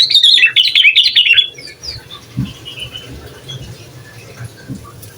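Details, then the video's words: Sooty-headed bulbul singing to provoke other bulbuls, for use as a training recording: one fast bubbly warbled phrase at the start, then quiet with faint low background hum. "Suara Asli Burung Kutilang Gacor Bikin Emosi Kutilang Lain"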